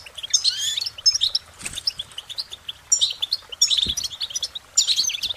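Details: High, musical warbling from a singing goldfinch: clusters of twittering notes and brief buzzy trills delivered in bursts, with light background hiss.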